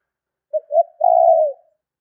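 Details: Spotted dove coo used to lure birds: short note, rising second note, then a long low hoot that fades out slowly, in a quiet setting.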